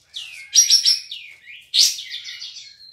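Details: Contest kapas tembak (cream-vented bulbul), caged, from Singkawang, West Kalimantan: slurred rising whistles and a quick pulsed chatter, then a sharp loud note trailing into a thin sustained whistle.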